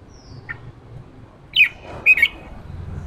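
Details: Red-whiskered bulbul giving 'ché' notes for training a fresh wild-caught bird to sing: one faint note, then a loud sharp note followed by two quick rasping notes, over a soft low rumble.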